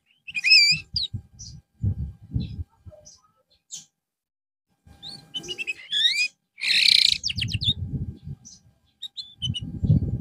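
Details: Canary in song therapy after going off form: wavering whistled phrases and rapid rattling trills come in bursts separated by quiet gaps, with low thumping noise underneath.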